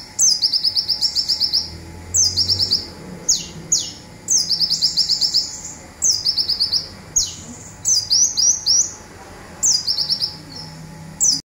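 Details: Local Olive-backed sunbird giving high, rapid zipping trills in short bursts about every second or two, each a fast run of thin, buzzy notes, used as a training recording for other birds.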